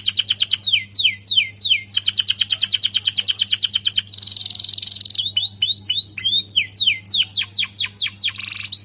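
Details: Vigorously singing canary as tutor material for shamas: quick repeated trill tours, a harsh buzzy block of sound, then series of arched, swooping whistled notes repeated about three per second.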